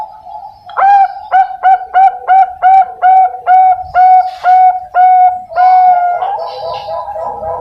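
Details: Juvenile Bangkok-type zebra dove, farm-bred and caged in Pasuruan, East Java, Indonesia, hatched February 2023. A soft hum leads into a loud series of about twelve clipped, ringing coo notes, evenly spaced and slowing slightly. A blurred murmur follows.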